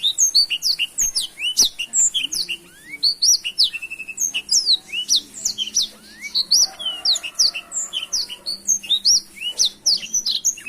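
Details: Continuous gacor song of a black-throated canary, dense bursts of bright high-pitched chirps and rising slurred whistles pouring out quickly, pausing briefly midway before resuming, over a soft low background hum.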